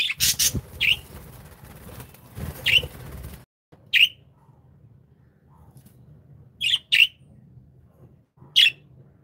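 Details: Happy pet budgies chirping: a few scratchy squawks at the start, then isolated sharp downward chirps, some in quick doubles, against a low background hum.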